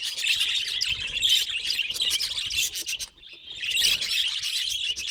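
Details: Budgie giving strange calls; rasping, buzzy high warble running steadily, breaking off briefly in the middle before resuming at full strength.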